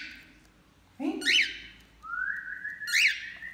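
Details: Bathing cockatiels, male and female, give two bright arching chirps and a rising whistle between them, with a person's voice faint underneath.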